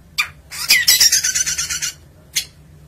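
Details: Caged long-tailed shrike from Indonesia: one brief sharp note, then a loud rasping buzzy phrase of over a second, ending with a single short harsh note.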